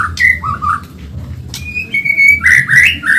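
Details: Medan-type white-rumped shama in a fast, lively training recording for caged birds: clear whistled phrases, some long and level and some rising, with scratchy bursts between them over a constant low drone.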